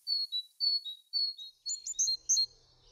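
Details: Great Tit singing a varied stanza built on a basic syllable sequence. It opens with thin whistled notes falling in pairs, then shifts into a faster run of sharper, more complex chipping notes.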